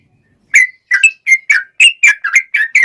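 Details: Sooty-headed bulbul male, lively fighting song: after a short silence, a quick series of clear, bubbly whistled notes, some upslurred, others falling, delivered several per second.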